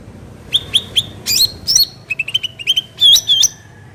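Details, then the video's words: Varied black-headed bulbul song recorded in nature: short clipped notes, rising buzzy flourishes, a fast stuttering series of lower chips, and closing hooked whistles, all fast and lively. "cucak ranting suara alam"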